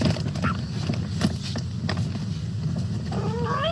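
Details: A superb lyrebird mimicking a cat: a wavering, meow-like imitation near the end, over a steady low rumble of background noise.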